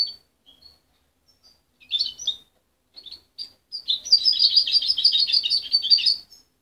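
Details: Young goldfinch hybrid, raised by its mother rather than hand-fed and separated at 23 days, still muddling its song: sparse thin chips and short twittering phrases, then a sustained run of rapid, high, jingling twitters near the end.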